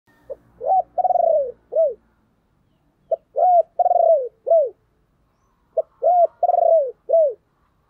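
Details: Spotted dove decoy bird calling to lure wild doves: three cooing phrases in about eight seconds, each a short lead note, an arched coo, a long rolled coo and a falling final coo, with faint low thumps early on.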